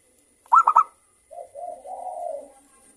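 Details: Local zebra dove, a prolific crystal-voiced singer played to draw song from other zebra doves; three quick loud hooked notes, then a longer low, rolling coo that swells and fades.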